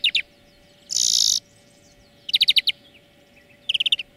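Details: Song of a greenfinch used as a lesson for training birds: quick double notes, a half-second rasping buzz, then two short bursts of rapid trilled notes separated by pauses.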